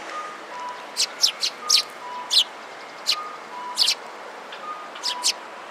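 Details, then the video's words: Sparrows squabbling while feeding, 25 February 2017: spaced single and paired high chirps, some slightly buzzy, over a quiet repeating two-note background tone. "餌に集まるすずめ達20170225 92（喧嘩）"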